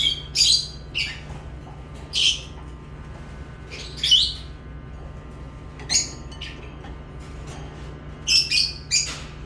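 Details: Lovebirds chirping: sparse, sharp, high chirps spaced a second or more apart, with a quick pair near the end, and a faint low hum throughout.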